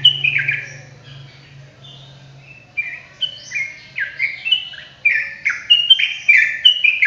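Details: Sooty-headed bulbul in a fast, chattering song: after a brief quiet stretch with a low hum, bright slurred whistles and short twisting notes tumble out in a dense, uneven run.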